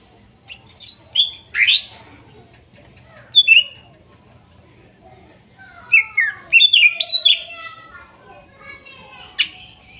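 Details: Wild-caught greater green leafbirds from Kuningan, young speckled and masked birds, singing as therapy for a silent bird: scattered bright whistles sliding downward, then a denser run of chirps and falling notes with faint lower harmonics.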